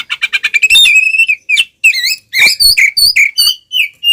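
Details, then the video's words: Kacer, the oriental magpie-robin, in full loud fighting song with spread tail, a lure to rile other males: quick rattling series, a drawn-out steady whistle, then varied slurred bursts. "SUARA BURUNG kacer gacor NGEPLONG TARUNG BUKA EKOR ini paling AMPUH buat PANCINGAN KACER agar EMOSI"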